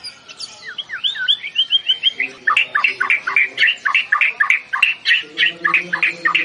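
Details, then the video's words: Singing competition of white-rumped shama: an opening of looping whistles turns into a fast, even series of bright chopped notes, about three or four each second, with a faint low hum behind. "Suara Murai Batu Lomba | the sound of the stone magpie race"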